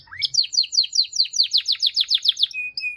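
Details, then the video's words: Canary song: a rising sweep followed by a fast, evenly paced trill of about fifteen bright chirping notes, ending in a short steady whistle. "The most Unique and Beautiful Canary Singing"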